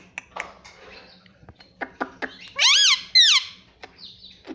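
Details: Pet parrot saying "mummy": two loud, high, arching tones in quick succession after soft clicks and taps, with faint chirps afterward.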